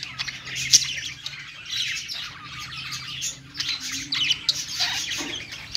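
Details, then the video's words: Perched budgerigars chatter in song, a busy high twittering warble with scattered squeaky notes, growing livelier in the second half. "budgies singing on perch"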